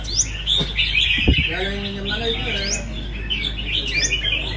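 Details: Competing red-whiskered bulbuls in a song contest, giving quick upslurred whistles and bubbling chirps, phrases tumbling over one another, with a brief knock near the start and a steady low hum beneath.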